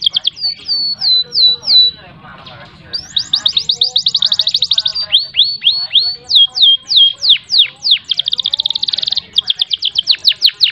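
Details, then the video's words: Canary on a master recording intended to make a stuck canary sing long rolls. Opening whistled slurs lead into fast rolls, then deep downswept notes and a dense buzzy trill, phrases changing every couple of seconds. "Masteran Burung Kenari Gacor Buat Pancingan Kenari Macet Biar Ngerol Panjang"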